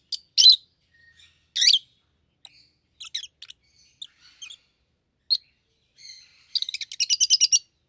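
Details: Rosy-faced lovebirds kept as a pet pair, one yellow and one green, both red-headed. Two loud piercing screeches lead into softer chirps, then a fast, rhythmic series of harsh, clipped shrieks.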